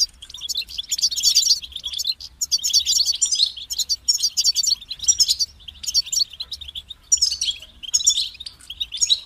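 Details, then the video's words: Goldfinch song from a kept bird: long runs of fast, bright twittering and liquid trills in short phrases with brief stops between them, high-pitched and continuous over several seconds, faint low hum in the background. "Highlighting motivating songs for creative goldfinches in simple ways"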